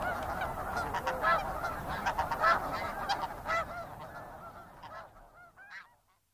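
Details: Snow goose flock calling busily, rapid overlapping honks that thin out and fade away, leaving a few last isolated calls before near silence.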